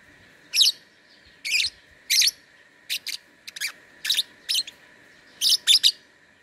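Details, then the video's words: Lovebird in an online singing contest from Singkawang, West Kalimantan, showing its song: bursts of harsh, buzzy chattering notes in short phrases every half second to second, with a steady high electronic hum underneath. "LOMBA LOVEBIRD ONLINE 4 - Aksi LoveBird"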